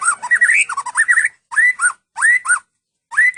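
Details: White-rumped shama of the Medan type, long-tailed, singing in cililin style: rich looping whistled phrases, slurring up and down, a fast run of notes followed by three shorter rising-then-falling phrases separated by short silences.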